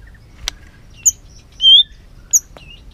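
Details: Trained white-rumped shama being stimulated to sing in many voices: a few clear, high whistled notes spaced apart, one longer pure whistle in the middle, with sharp clicks and a low background hum.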